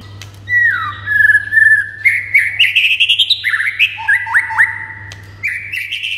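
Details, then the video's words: White-rumped shama song played to make a silent shama answer and sing excitedly: clear whistled notes sliding up and down, fast trills and rising slurs in a varied phrase, over a steady low hum. "MURAI BATU MANDEK SEKETIKA NYAUT GACOR & NAIK EMOSINYA"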